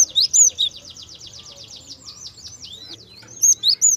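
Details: Java sparrow singing softly as a lure for young birds: loud high chirps open, followed by a rapid rattling string of downslurred notes, then more bright chirps at the close.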